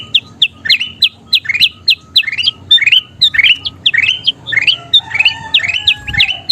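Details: Kutilang emas (bulbul) in lively song, used to train other birds: quick, evenly spaced upward-sweeping whistles, joined near the end by thin longer tones and a softer low whistle.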